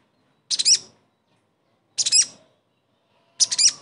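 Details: Sogon call played to make a silent bird sing again: three identical sharp, high, stuttering notes, each about half a second long, spaced roughly one and a half seconds apart.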